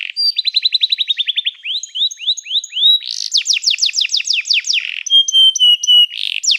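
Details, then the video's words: Singing canary heard in training material: a quick run of descending notes, a few upslurred whistles, then a burst of rapid sweeping downslurs, and finally long level whistles repeated in short phrases. "O som do canário cantando é muito gostoso! melhor treinamento para canario"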